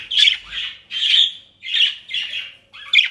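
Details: Pet budgerigars in Den Haag, Netherlands, feeding on dry leaves and grass: harsh, raspy squawks, about five bursts spaced roughly every half second to a second.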